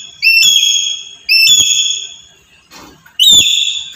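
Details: Three loud, bright calls from a black-capped lory used as a trapping lure. Each rises in a quick step to a ringing whistled tone, with a short scratchy rustle between the second and third.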